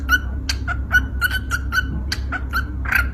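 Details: Yellow lovebird in Indonesia chirping its 'kuki kuki' song: a quick run of short, bright, clipped notes with a few louder squeaky bursts, over a constant low background hum.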